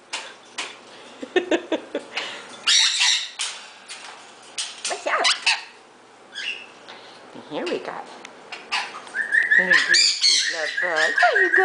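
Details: A rescued pet sun conure gives harsh, raspy squawks in uneven bursts, with a few higher whistled notes near the end, as its owner coaxes it indoors.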